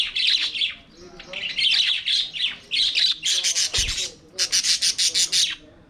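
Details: Flock of budgies in their aviary, singing and playing, giving dense buzzy warbles and harsh chirps in quick runs, with short pauses between bursts and a brief low thump.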